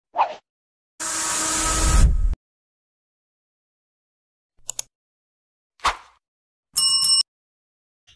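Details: Scattered non-animal sounds: a loud rushing burst of noise, a few plops and clicks, and a brief harsh electronic-sounding tone.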